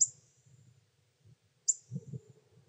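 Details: Two sharp, very high chips from Pyrrhuloxia chicks begging while the male parent feeds them in summer in Terlingua, Texas, with soft low rumbling between.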